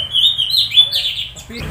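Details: Orange-headed thrush giving a short, loud run of warbled, wavering whistles that rise and fall, ending in a brief rough note.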